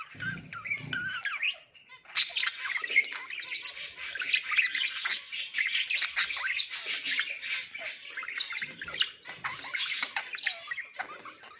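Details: Pet budgerigars, kept as ornamental birds, warble in a loud, dense stream of squawky chirps and buzzy scratchy notes that run almost without pause after a brief quiet gap near the start.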